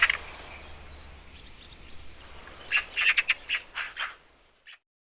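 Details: Eurasian magpie giving a brief run of about seven hoarse, scratchy chack notes in quick succession after a quiet stretch of faint background hiss, ending with one last isolated note.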